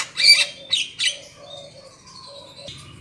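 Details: Black-winged myna used as a trapping lure: three loud, rough squawks at the outset, followed by quieter thin whistled tones and a final harsh note.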